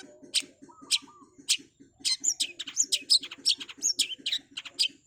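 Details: Long-tailed shrike (cendet) singing energetically: a few spaced harsh strokes and a low warbled phrase, then a rapid run of high scratchy and whistled notes, against a regular low ticking.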